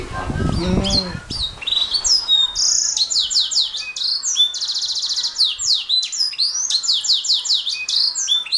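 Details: Canary singing a rapid, varied song: a brief low harmonic sound at the start, then high whistled notes, buzzy trills and quick downslurred chips run together without pause.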